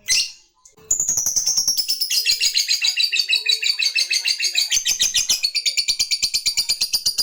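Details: Lovebird in top form delivering a long ngekek to summon a rival: one brief shrill note, a short pause, then a dense run of rapid, high chattering pulses that drift slightly lower and continue unbroken.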